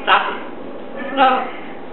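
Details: Indoors with the television on, a Catablue macaw gives two loud, throaty, speech-like phrases about a second apart.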